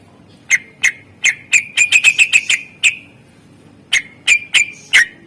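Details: Greater green leafbird delivering a fill-in song from a master recording for encouraging silent birds. Sharp chip notes speed into a rapid run of about seven, pause, then resume in a looser series.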